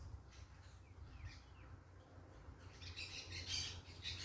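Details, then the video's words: Parakeets noisy in nature, faint thin calls at first, then a run of harsh grating squawks over the last second and a half, with low wind rumble throughout. "Quem gosta do som da natureza com periquitos fazendo barulho"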